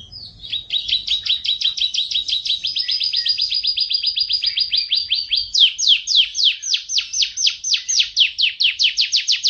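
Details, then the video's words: Canary singing a long, dense rolling song: a rapid trill of repeated notes that holds steady, then switches to a louder, faster series of sharply descending notes, all in a clean recording. "Kenari Rol Panjang Rapat"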